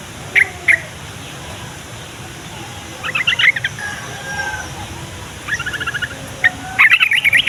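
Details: Yellow-vented bulbul song for coaxing young and flock-kept bulbuls to respond: single chirps, then several lively bubbly runs of quick notes, the last loud and busy, over a steady background hiss.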